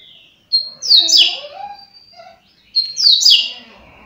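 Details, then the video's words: Coleiro (double-collared seedeater) giving two fast, sharp phrases about two seconds apart, each a bright high sweep of chirps with softer lower notes trailing after the first; said to sing thirty songs in one minute, with slight room background. "COLEIRO FLASH 30 CANTOS EM 1 MINUTO"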